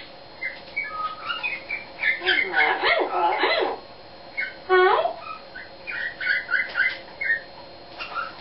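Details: A pet eclectus parrot sings its own made-up song: a rambling run of clear whistles, chirps and speech-like warbles, rising and falling irregularly, with a louder burst of mixed notes midway.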